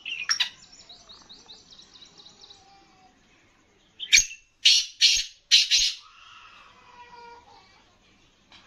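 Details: Sindhi black francolin, known locally as kala teetar and kept as an alert caged bird, gives four loud grating, broadband call notes in quick succession amid high twittering and a faint whistled tone.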